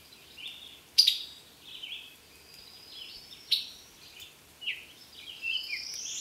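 Brazilian tanager giving sharp, high chips every couple of seconds between thin, buzzy and rising whistled phrases, with faint background hiss.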